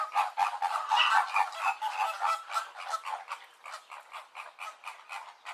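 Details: A flock of greater and American flamingos gives a steady chorus of nasal honks and gabbling notes, loud at first and fading slightly toward the end.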